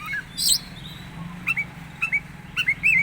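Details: Oriental magpie-robin making a strange sound: brief sharp chirps and short upslurred whistled notes, single and in pairs roughly every half second, with a few high thin squeaks, over a steady low hum.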